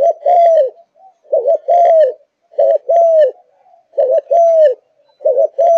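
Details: Caged Malaysian spotted dove singing steadily: three loud, evenly spaced phrases of low coos, each a quick rolled pair followed by a long arched croo, with faint bird chatter behind.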